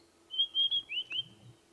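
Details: White-browed scrub robin (Cercotrichas leucophrys) perched in a tree singing during a sunrise safari drive in the Sabi Sand, South Africa, a quick phrase of about five clear, high whistled notes, some slurred upward, over a low steady hum.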